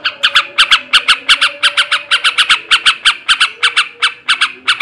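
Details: Male yellow-vented bulbul in ngebrem and ngekek garuda song, used to raise breeding drive: rapid, raspy chattering notes repeated in quick bursts, some doubled, with faint low background hum.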